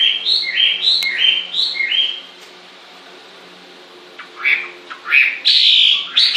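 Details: A bird gives repeated rising whistled phrases in a steady series, falls quiet for a couple of seconds, then resumes with louder slurred and trilled notes.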